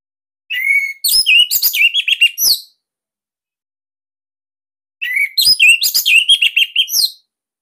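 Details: Bali-type orange-headed thrush song described as unique, dense and loud, played to prompt other birds to sing: two similar bursts about four seconds apart, each opening with a slurred whistle and then running into fast rasping and chirping notes.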